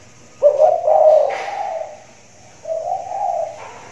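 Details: Caged spotted dove with a big voice, calling from a hanging cage in the rainy season: a deep, rounded coo phrase, a pause, then a second shorter mellow coo, with low room hum.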